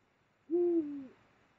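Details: Eurasian eagle-owl calling during mating near the Mosel, Germany, in late January 2022: a single deep, steady hoot of about half a second that drops slightly in pitch at the end, over a quiet background.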